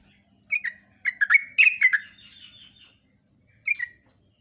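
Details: Morning lure song of a yellow-vented bulbul in rapid 'ropel' style: a short two-note phrase, then a tumbling run of gurgling whistles with a softer trailing warble, and one more brief phrase after a gap. Faint hum below.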